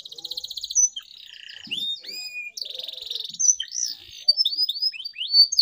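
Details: Canary song intended to encourage silent canaries to sing; buzzy pulsed trills alternate with quick whistled sweeps and lower rolling notes, followed by a rapid rattle and a run of high upslurred chirps.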